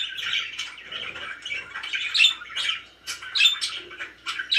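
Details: Very happy pet budgerigars chirping and warbling in uneven bursts, some clearer whistled notes mixed with rasping chatter, a short lull around the middle.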